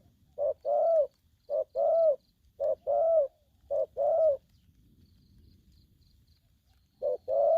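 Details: Spotted dove, young and aggressive, delivering 'thổ' style calls: four quick pairs of short-then-long hooting coos, a pause of nearly three seconds, then another pair begins.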